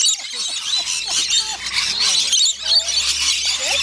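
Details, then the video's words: Many rainbow lorikeets screeching during a feeding frenzy on Magnetic Island, Queensland, Australia: high, harsh, overlapping calls forming a constant din, with a faint low hum underneath. "Lorikeet Feeding Frenzy"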